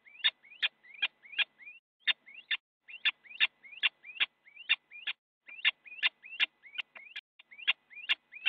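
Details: Little owls in a nest box in the Netherlands, filmed by a live camera on a January 2017 morning during a fight in which one bites the other; fast series of upslurred squealing yelps, each capped by a harsh click, about two to three per second.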